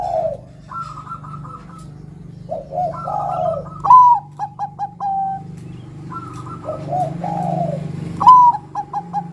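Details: Bangkok-type zebra dove singing steadily, its song used to prompt young untrained birds to sing: phrases of low bubbling coos, a higher level cooing run, then rapid clipped beats, repeated about every four seconds over a faint low hum.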